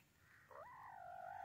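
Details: White teetar, a white francolin, giving one call: a short rising note that bends into a long, steady, harmonic tone held to the end, over faint low background hum.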